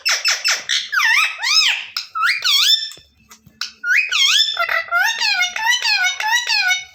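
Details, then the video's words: Angry pet green parrot with a red beak chattering indoors: rapid squeaky arched syllables, then a pause, followed by a long run of wavering harmonic notes that sound speech-like. "Aaj Hamare Payara Mitthu Betu Bahaut Gussa Hai 😊🦜 || Parrot Video Original Sound Mitthu Mitthu"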